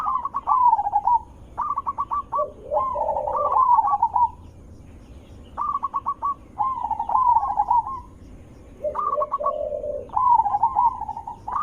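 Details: Zebra dove with a loud, melodious voice, used as a lure for other zebra doves. Repeated bursts of quick staccato notes flow into rolling warbles and low burbling coos, with pauses between phrases.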